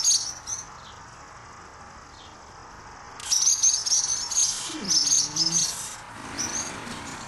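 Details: Swallows defending their nest, upset at a person approaching and swooping in close to attack; sharp, thin, high chirps burst out in quick irregular runs over a steady hissing background, with a faint low sliding sound midway.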